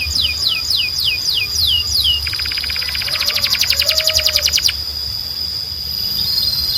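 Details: Belgian canary singing to call other canaries into song: a few descending swept whistles, then a fast pulsed trill, over a steady high whine and low background hum.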